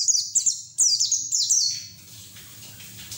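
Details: Ngeriwik song of a white-eye, played to coax untrained white-eyes into singing: sharp, high descending whistles in quick bursts over the first two seconds, then fading to a faint hiss.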